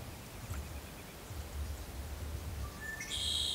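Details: Red-winged blackbird feeding at the shallow edge of Ozette Lake, Olympic National Park, on a misty late-May morning; near the end two quick rising notes run into a harsh, buzzy trill over low rumbling background.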